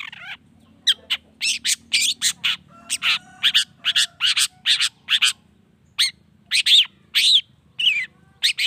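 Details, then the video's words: Long-tailed shrike in a lure recording for provoking other shrikes to sing: a rhythmic series of short, harsh, buzzy notes, about three per second, with occasional thin whistled slurs and a faint low hum. "PANCINGAN CENDET❗NAIKAN EMOSI CENDET MANAPUN AGAR CEPAT NYAUT LANGSUNG IKUT BUNYI"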